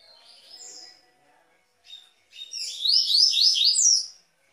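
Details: A Double-collared Seedeater sings a 'Tui Tui' type song, a fast, bright phrase of rapid rising-and-falling whistled notes after a few softer high chips, recorded to warm up and train captive seedeaters.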